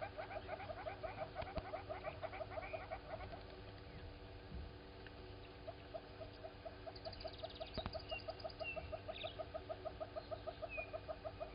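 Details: Southern red-billed hornbill walking around Gowrie dam waterhole, Djuma Game Reserve, Sabi Sand, South Africa, at 07:53 on 16 September 2020, giving a long run of hollow clucking 'wop' notes, about three a second, with brief whistles from other birds and a low hum.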